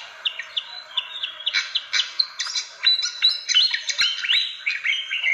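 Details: Fantail lure calls: short whistled notes at first, then a busier rush of sharp chirps and upslurred whistles, some notes held briefly.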